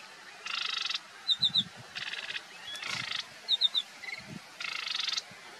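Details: Marsh warbler singing: buzzy, harsh chattering phrases of about half a second to a second, separated by short pauses, with quick high clicking notes and brief low sounds between phrases.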